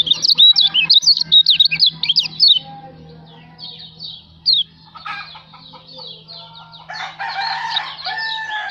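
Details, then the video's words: White-eye from Lombok (kecial) in a songbird training recording: a strong burst of rapid, high, wavering twitters for over two seconds, then softer scattered chirps, a steady low hum and broadband noise. "masteran kicau burung kecial lombok"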